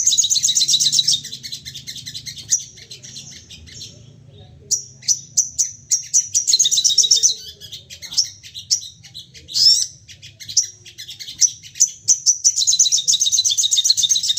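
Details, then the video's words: Excited crested jay firing off rapid, repeated calls meant to stir other birds into calling. Long runs of high, fast buzzy chattering alternate with spaced sharp chips and brief pauses over a faint low hum. "Sogon emosi nembak bertubi - tubi cocok buat pancingan bunyi dan naikan emosi"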